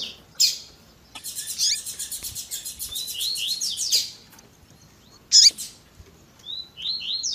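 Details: 'Tui tui zel zel' song of a Double-collared seedeater with female piping: a sharp chip, then a long rhythmic buzzy trill running into slurred rising whistles, another loud chip, and renewed whistles.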